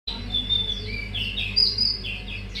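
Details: Mangrove whistler, energetic, pouring out its learned repertoire: clear whistled notes that slide between pitches, some held briefly and some dropping in short slurs, sung over a steady low hum.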